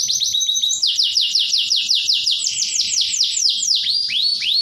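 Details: Canary song of the tembakan type: rapid chains of sweeping down-slurred notes pour out steadily, slowing near the end into a few looping arched whistles.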